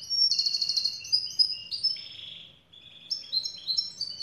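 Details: Black siskin, a South American highland finch, singing a loud run of high notes. A buzzy rattling phrase leads into sliding whistles and a lower drawn-out buzz, then after a brief pause comes a fresh series of chirps climbing in pitch.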